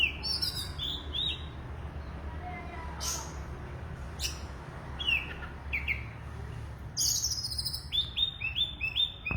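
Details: Oriental magpie-robin in full song: bright whistled phrases and crisp high clicks with short pauses, ending in a rapid series of repeated sweet notes, against constant low-pitched background hum.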